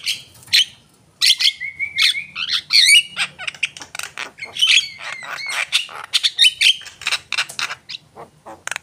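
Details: Javan myna singing actively, mixing long level whistles and wavering squeals with harsh, rasping chatter and sharp clicks in a varied, busy sequence.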